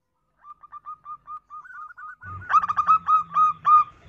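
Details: Female zebra dove call used as a lure for males: soft, evenly spaced staccato coos first, then a louder, rougher burst of rapid repeated notes with a faint low rumble beneath.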